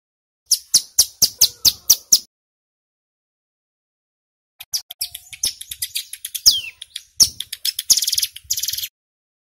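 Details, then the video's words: Loud male ciblek gunung singing in the rapid-fire 'bren' style used to lure wild birds: a quick burst of high clipped notes, a two-second pause, then denser chips, downslurred whistles and buzzy rattles. "Suara CIBLEK Gunung GACOR PIKAT - Pancingan Ampuh Bikin Ciblek BAHAN Cepat EMOSI Bunyi NGEBREN"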